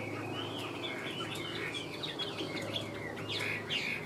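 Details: A captive Chinese hwamei (Garrulax canorus) sings a loud, rich run of varied whistled phrases that rise and fall without pause, over a faint low hum.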